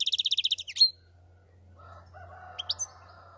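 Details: European goldfinch singing: a fast, high trill of about a dozen evenly spaced notes in under a second, then a sharp sliding note, a lower drawn-out buzzy phrase, and a few quick high chirps; faint low hum beneath.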